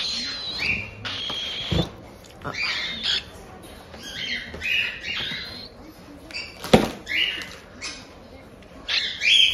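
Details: Cockatiel babies around one month old in Tokachi, Hokkaido, give scratchy 'jaa-jaa' begging squawks, a call limited to the chick stage: irregular harsh bursts, with sharp knocks or clicks and a few low thuds between them.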